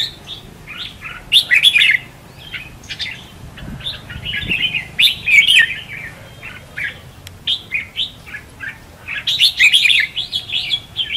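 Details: Decoy contest song of a red-whiskered bulbul, used for trapping and to prompt other bulbuls to sing: lively warbling phrases repeated in several bursts with short pauses between them.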